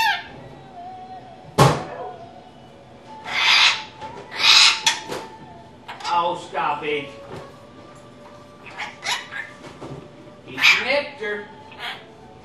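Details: Indoor pet rainbow lorikeet, a female with a large vocabulary, talking; strings of harsh, speech-like syllables and brief sharp clicks spread over several seconds in a quiet room.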